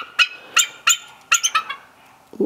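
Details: Goose named Sylvia, a large female at a wildlife refuge, gives loud, harsh, high-pitched screams while being offered fish, three spaced blasts, then a quick burst of four, with a soft thump at the end.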